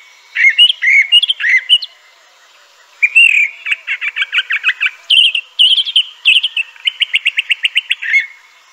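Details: Crissal thrasher singing, a varied phrase sequence: a few warbled notes, a pause, then rapid series of short buzzy and whistled elements, ending in a quick repeated trill-like run, clear with no other sounds.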